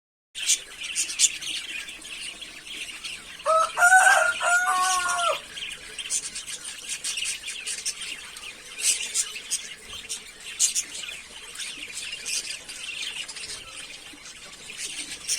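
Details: A budgerigar chatters steadily in soft, scratchy, high warbles and clicks, a happy-sounding chatter.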